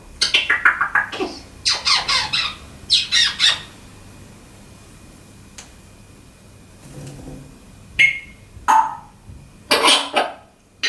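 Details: African grey parrot, a pet indoors, known for talking and mimicking sound effects: clusters of harsh squawky and speech-like bursts, then a quiet gap, then sharp whistled notes and more squawks, with a person repeatedly asking "Honey?"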